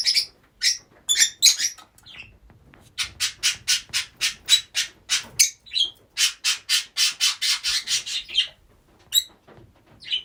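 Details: Several Rosy-faced lovebirds kept together in one home, calling: shrill, harsh squawks repeated in quick bursts about four per second, with short pauses between runs and a few higher screechy notes.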